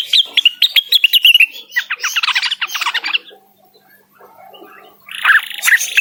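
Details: Blue-winged leafbird in full song, calling out a rival: rapid chattering and whistled notes in dense bursts, a short pause, then another loud chattering phrase.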